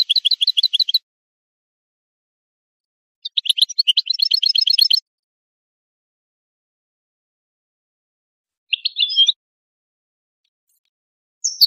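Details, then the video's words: Goldfinch song in separate bursts: a fast, tinkling twitter, a longer buzzy jumbled phrase, then a short scratchy note and a brief high chip, with long silent gaps between. "Analysis of goldfinch songs and their performance in education"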